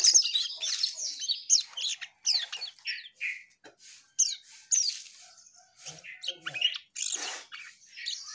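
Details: Asian pied starling singing actively: a busy sequence of sharp descending squeaks, harsh rasps and whistled slurs, delivered in quick bursts with brief gaps.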